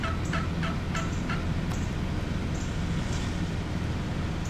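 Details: Wild turkeys gathered in large numbers in one spot; a few quick rattling gobble bursts open the recording, then fade to scattered faint notes over a constant low droning rumble.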